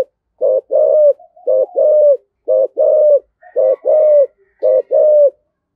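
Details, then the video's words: Spotted dove calling in the giọng thổ style used to lure other doves: steady series of paired coos, a brief note then a longer sustained one, repeated roughly every second with little background noise. "cu gáy giọng thổ, cu gay giong tho cuc dinh gay gọi"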